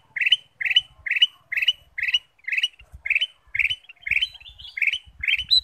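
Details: Lure song from a Ruby-throated bulbul to stir other birds to sing: a regular series of short, bright chirps, a little over two per second, over faint low clatter.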